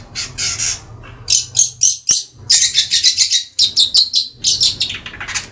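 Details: Long-tailed shrike, Madura variety, aged three months, kept as a pet: rapid series of harsh, buzzy rasps repeated in quick rhythmic pulses, with one sharp click partway through and low background hum.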